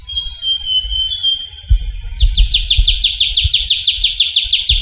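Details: Trilling shrike-babbler, a rare small bird of Javan forests, recorded in the wild; a thin sustained whistle leads into a fast, regular trill of repeated downslurred notes, about two per second, over low rumbling background noise.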